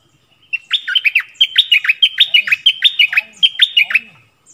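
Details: A stripe-throated bulbul sings a lively run of liquid, bubbling whistled notes, about three per second, rising and falling in short phrases; recorded 1 April 2021, with wild birds coming near, owner suspects a nest with young.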